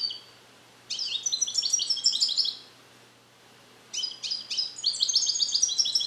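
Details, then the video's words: European goldfinch male, captive-born in the USA in 2021 and educated with Neapolitan passages not yet fully learned, caged alone in a carrier: two long high twittering runs of rapid jingling notes separated by a brief pause. "Cardellino Passata Napoletana 2021 - European Goldfinch - Jilguero cante limpio"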